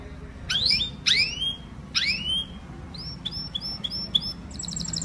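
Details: Quieter canary song sung to call the flock: several rising, swooping whistles, then short clear notes in quick succession, ending in a high fast trill, with a faint noisy background.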